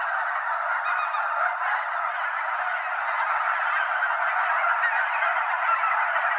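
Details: Snow geese, well over 200, wheeling over Limestone Bay at Wheeler National Wildlife Refuge in Alabama before settling on the water; rapid, overlapping honks, several per second, merge into a continuous noisy chorus.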